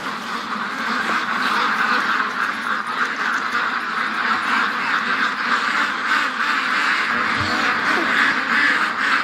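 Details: Domestic duck flock on a sunny 20° October 3rd morning, agitated after a hawk in a nearby tree, quacks nonstop: harsh nasal calls tumbling over one another several times a second, with a brief human voice.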